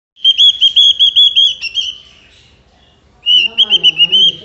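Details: A pet female cockatiel at home, recorded on her last day before she flew away, whistles a bright, warbling phrase of quick wavering notes, pauses, then starts again.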